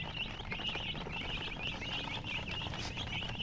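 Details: Chicks of the domestic chicken keep up a steady stream of high, brief, descending peeps, several callers overlapping. Low rumbling noise lies underneath.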